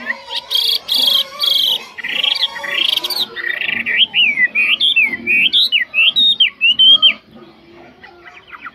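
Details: Chinese hwamei, a caged bird praised for excellent faultless singing, giving harsh buzzy notes before a run of clear whistled phrases repeated in rising and falling loops, then quieter scattered notes.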